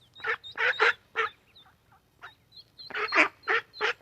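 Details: Ducks with ducklings at a pond, rough quacks in small clusters alongside short high downslurred peeps, a quieter pause mid-way, then quacking resumes louder.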